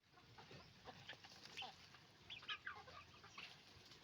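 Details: Roosters and hens on a chicken farm making noise, with scattered short clucks and squawks from several birds overlapping through a steady background hiss.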